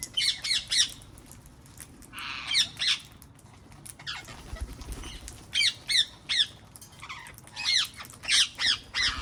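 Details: Wild parrots in a garden: loud harsh squawks in bursts of two to four, repeated through the clip with short gaps, over faint low background noise.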